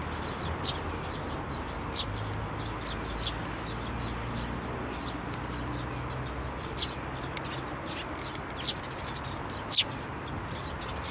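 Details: Eurasian tree sparrows, including one chick, landing on a hand for food at a Tenmangu shrine on 17 May 2024; busy high chirping with occasional louder sharp downward notes over steady low background noise.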